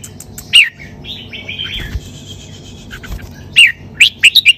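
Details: Red-whiskered bulbul, a cage bird, singing in the 'sai berl' style: one loud slurred whistle, a quiet pause with low murmuring, then a clear falling whistle followed by three quick, bright notes.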